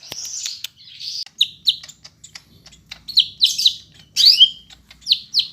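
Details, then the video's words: Medan-type greater green leafbird singing a full, packed song, recorded in Bandung on a Monday, 5 September: high slurred whistles and downward-sweeping chirps in short bursts, separated by brief pauses and faint clicks. "Burung Cucak Hijau Medan, isian rapat"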